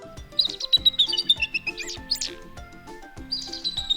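Bald eagle giving thin, high chittering notes in quick, uneven bursts, with background music playing underneath.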